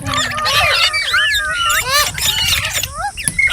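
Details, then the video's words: A group of green parrots calling at once, a dense tangle of curved, warbling whistles and harsh squawks, continuous with no pause, over soft low background noise. "Beautiful Green Parrots Talking | Funny Parrot Sounds"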